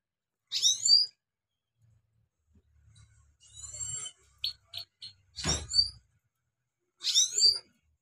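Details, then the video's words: European goldfinch song played to train a young wild goldfinch: short bursts of bright, high twittering and chirped notes, five brief phrases separated by pauses, with faint low thumps in the background. "Trained Gold Finch Sounds For New Gold Finch Rolling / صدای سهره برای مستی سهره وحشی"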